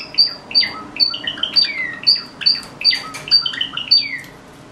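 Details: Morning song of a caged Java sparrow indoors: sharp, high, ringing notes repeated roughly twice a second, each followed by clicking and downward-slurred chirps, building into a fast, continuous twittering phrase, with faint room hum underneath.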